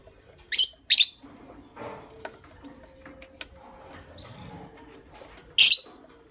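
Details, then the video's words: Pet lovebirds, Creamino and Lutino Opaline mutations, in the morning: two quick harsh chirps, faint soft squeaks and a thin whistle in between, then another loud rasping chirp near the end. "Lovebird Chirping Sounds"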